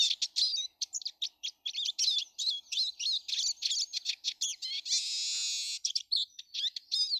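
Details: Numerous Eurasian siskins in a garden, 19 March 2013: quick, high chirping twitter broken by one drawn-out buzzy wheeze lasting about a second, then more clipped chirps.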